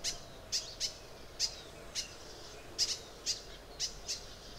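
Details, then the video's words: Crimson sunbird in Arunachal Pradesh giving sharp, very high, thin chip notes, single or in quick pairs, repeated about every half second over a quiet background hiss. "Crimson sunbird in Arunachal Pradesh"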